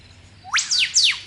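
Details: Whipbird, also called rifle bird, in thick scrub along a bush track at the edge of a national park in Sydney, Australia, gives a rising whistled sweep then two quick, sharp, high notes dropping steeply in pitch, over a faint low hum.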